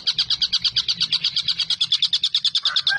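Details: A collared kingfisher, described as a young bird and used as a master song for training other birds, gives a fast, steady run of sharp, high chattering notes, about eight a second, over a faint low hum.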